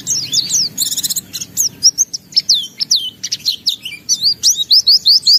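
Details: Energetic white-eye in full gacor song, beak open, displaying its repertoire: a burst of fast buzzy trills followed by a varied series of high whistled slurs, ending in a quick run of similar rising-falling notes.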